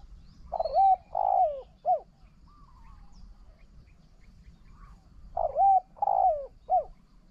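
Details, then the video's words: Decoy spotted dove duelling a wild dove: two matching three-part coo phrases, each a purring first coo, a longer falling coo and a short last note, separated by about three seconds of near quiet. "ต่อนกเขาใหญ่ นกเขาใหญ่"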